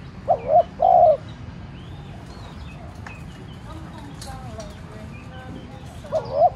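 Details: Decoy spotted dove giving a hooting coo phrase at the start and again at the end, with a quiet gap in between filled by faint chirps and distant murmuring voices.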